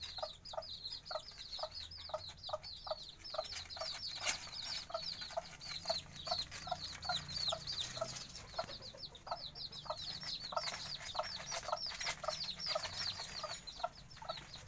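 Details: Young bantam chickens giving rapid high-pitched cheeps in a steady, crowded chorus, accompanied by regularly spaced lower clucks roughly twice per second across the whole stretch.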